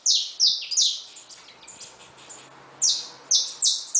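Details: Loud, high, down-slurred chirps from caged saffron finches with newly hatched chicks: three quick notes, a pause of over a second, then four more.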